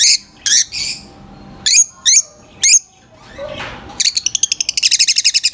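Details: Lovebirds giving loud, high-pitched chirps: sharp downward-sweeping notes in quick pairs and singles, a faint lower squawk, then a fast run of rapid clicking pulses toward the end.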